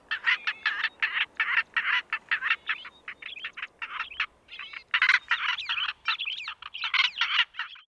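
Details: Male Northern black korhaan, southern Africa, calling loudly: continuous run of raucous, grating croaks in quick succession, about two to three per second, with short breaks between bursts.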